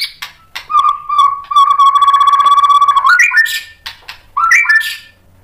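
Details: White-rumped shama song used to provoke other birds into answering: a long steady whistle held near one pitch with a slight warble, then rising whistled phrases and short sharp notes.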